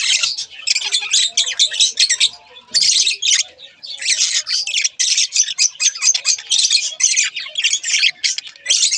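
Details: Budgerigar pair warbling and chirping in quick, raspy bursts, a short pause near the start, then continuous scratchy chatter with clicks and squeaks.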